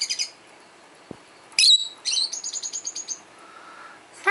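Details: Peach-faced lovebird, a 12-year-old pet bird indoors, calling to other lovebirds; a loud piercing chirp followed by a rapid trilling series of high notes, with a soft tap and faint background murmur.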